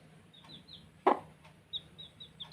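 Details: Young chicks at play give scattered thin, high peeps that drop in pitch. A single loud thump sounds near the middle, followed by a few softer taps.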